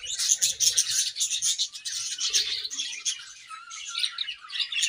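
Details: Many budgerigars chattering together while feeding, with rapid high chirps and buzzy warbles pulsing in quick succession throughout.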